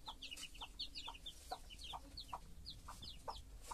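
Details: Hen and chicks: a cluster of piercing, downslurred peeps from several chicks, with a regular low cluck from the hen about every half second.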